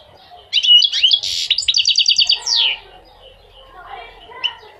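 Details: Goldfinch song: a fast, liquid twittering phrase with a short harsh buzzy note in the middle, then a rapid run of repeated chirps ending in a descending sweep, followed by quieter faint twitters.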